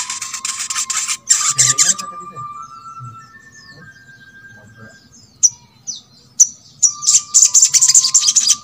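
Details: Crimson Sunbird, played to encourage others of its kind to sing. The clip opens with high rapid twittering, then goes quiet apart from a few thin slurred notes. Sharp chirps and a fast twittering burst close it. A low steady tone runs throughout.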